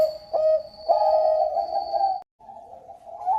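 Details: Bangkok-type zebra dove singing actively: a few short clipped coos, then a long, steady, slightly wavering hooting note that breaks off briefly and resumes, with a faint steady high tone throughout.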